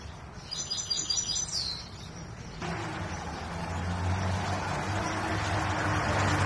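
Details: Big-sized Himalayan saira in song training, Quetta: a short burst of high, rapid trilled notes ending in a downward slur, then swamped by loud broadband traffic-like noise and low rumble for the remaining seconds.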